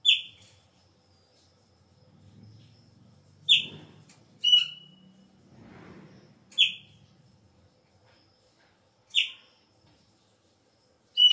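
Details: Chopi blackbird singing as the breeding season begins: sharp whistled notes repeated at irregular intervals of about one to three seconds over a low rumbling background murmur.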